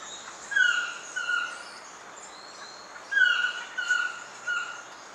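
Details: Black-mandibled toucan (Ramphastos ambiguus) at Pierella Ecological Garden between January and March, giving two croaking, yelping phrases about two and a half seconds apart, each an accented note followed by lower falling yelps, with constant insect hiss.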